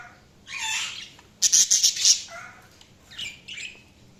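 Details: Budgerigar chirping: a rough, noisy squawk, then a fast cluster of shrill piping notes, followed by softer scratchy chatter.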